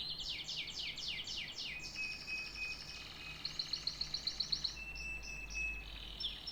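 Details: Canary song with a run of loud descending sweeps, a sustained buzzy trill, then a quick burst of sharp clicking chips and a thin whistled note, low hum beneath.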